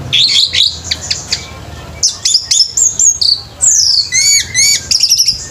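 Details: Orange-headed thrush at a bird singing competition, delivering rapid high-pitched phrases: sharp chirps and slurred whistles, then a long descending whistled slur and quick trilled notes near the end, with a faint low hum underneath.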